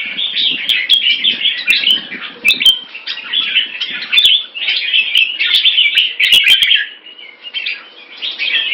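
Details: Caged red-whiskered bulbul in Singapore in a fast wing-display rotational sparring bout, giving continuous rapid chattering warbles that soften briefly near the end, with frequent clicks.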